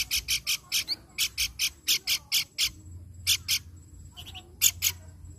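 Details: A hill babbler (pelanduk bukit), in a lure recording, gives quick runs of harsh, scratchy high notes, several per second, with brief pauses.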